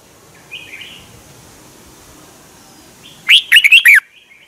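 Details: Red-whiskered bulbul in a cage in Thailand, its song used to excite other caged birds: one short, rich warbled phrase of four bouncing notes near the end, after a faint distant call and low hiss.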